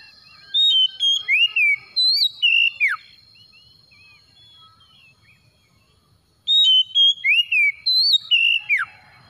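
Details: Oriental magpie-robin song meant as a lure to get a reluctant bird singing. Two loud bursts of clear whistled, slurred notes rising and falling, each phrase ending in a steep downward sweep, with a faint steady high tone throughout.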